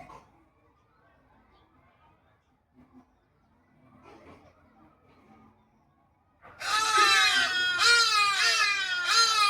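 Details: Hadada ibis calling to communicate: after six near-silent seconds, loud, harsh, nasal calls burst out, each note sliding downward, repeated rapidly in a dense series until the end.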